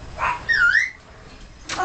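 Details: Three-year-old male yellow-fronted amazon parrot kept as a pet, which talks and sings, giving a clear whistled note that dips and then rises, between short breathy sounds.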